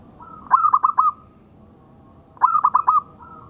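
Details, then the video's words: Zebra dove of the local strain used for tutoring songbirds: two cooing phrases about two seconds apart, each a clear whistled note followed by a rapid trill of three or four stuttering notes, with silence between. "Suara Perkutut Lokal Buat Masteran"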